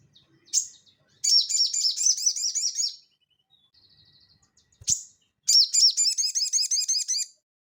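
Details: Crested jay singing actively in the ngeleper style, used as training audio for cage birds: twice a sharp opening note leads into a long, steady series of high, repeated, slurred notes, with a quiet background.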